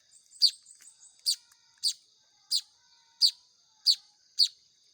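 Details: Baya weaver chicks being hand-fed, giving sharp high chirps repeated roughly every half second to second, each a brief bright burst, over a faint steady high hiss.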